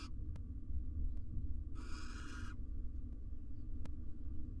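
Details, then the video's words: Wild barn owl pair courting next to four nestlings in a monitored nest box; one rasping, breathy screech lasting nearly a second, then quiet with a constant low hum and occasional ticks. "Male and female barn owl court next to their 4 nestlings"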